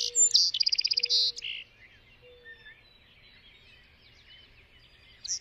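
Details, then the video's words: Song sparrow delivering one clear song: sharp opening notes, a quick rattling trill and a buzzy ending, followed by faint twittering from other birds and a few low steady whistled tones in the background. "Song Sparrow"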